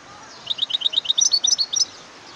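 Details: European goldfinch giving one quick phrase of about fifteen sharp, high, evenly spaced notes, delivered as a rapid tinkling run that rises slightly in pitch near the end, over a quiet background.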